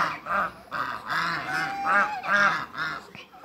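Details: Toulouse and African domestic geese, a group of eight, honking as they meet new geese: a run of loud, nasal, ringing honks, roughly two per second, some rising and falling in pitch.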